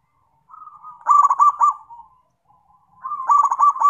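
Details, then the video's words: Zebra dove giving a soft rising purr that breaks into a loud series of quick, pulsing coo notes. After a brief lull, a second throbbing burst begins. "PERKUTUT GACOR"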